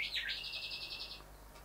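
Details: Male Rufous Whistler singing while admiring his reflection in a house window: a loud whistled note swooping down and up, then a rapid run of sharp repeated notes lasting about a second, over a quiet background.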